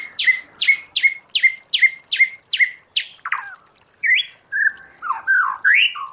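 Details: Forest-voice song of a white-rumped shama for training, starting with eight evenly spaced sharp descending notes, then a set of varied whistled swoops and slurred notes in a quiet setting.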